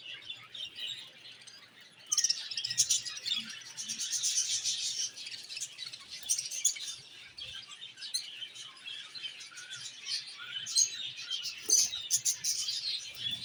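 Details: Flock of budgerigars kept in aviary cages, playing, singing and eating: soft chatter swelling into a busy high warble of chirps and clicks that runs throughout, with a faint low hum.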